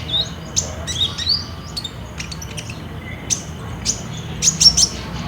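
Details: Olive-backed sunbird, called ninja, singing vigorously as a lure for caged birds, captured on a phone: scattered very high, thin chirps and brief whistled slurs with short pauses between bursts, over faint low hum.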